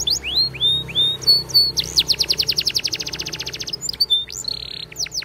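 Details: Belgian canary training song with short rising whistles, then a long, rapid, evenly pulsed trill, ending in chips and a buzzy held note over a soft background hum.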